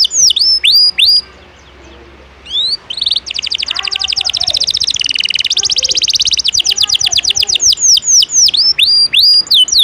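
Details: Canary singing 'ngejos' filler song for tutoring other birds: sharp swooping whistles, a short near-silent gap, then a long, dense buzzy trill of rapid high notes breaking into separate rising-falling slurs; faint lower sounds in the background.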